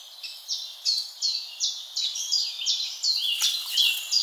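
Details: At a summer garden feeder, a bird repeats crisp, high downslurred notes roughly three times a second in a steady run, with fainter chirps from other birds behind.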